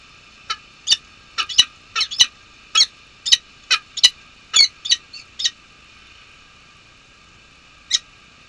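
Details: Peregrine falcon pair at a nest on Nottingham Trent University, UK, 23 March 2013, during unusual snowfall with at least one egg, as the male relieves the female. About a dozen sharp, harsh clipped notes in an irregular burst, a pause, then one more, over steady electrical hum.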